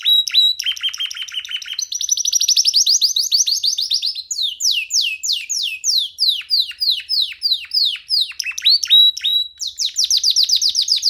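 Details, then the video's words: Young canary sitting free on a hand and singing without pause: fast rolling trills, then runs of quick descending whistled sweeps repeated several times a second, then renewed rapid trilling at the end. "Canary singing freely on sitting on d hand"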